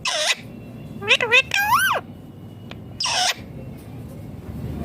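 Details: Indian ringneck green parrot talking: loud, harsh screeches at the start and near three seconds, with a run of rising, speech-like whistled syllables in between, over low background hum.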